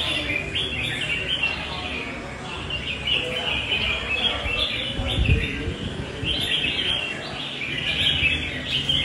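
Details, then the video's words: A red-whiskered bulbul in a fighting bout, called responsive, loud and long-singing. Warbled, quick-fire whistled notes run in clustered bursts against constant low rumble, with one thud midway. "Cb nhạy xoè, to dài đấu đẹp nết cánh bướm"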